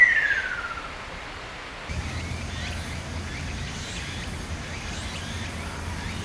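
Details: A lesser cuckoo sings in spring to early summer, giving a loud, falling whistled note, followed by faint repeated notes further off, over a steady low hum.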